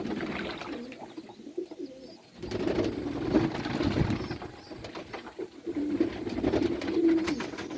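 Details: Pet pigeons cooing in low, soft, rolling notes. The coos come in uneven bursts after a quieter opening, with faint rustling in the background.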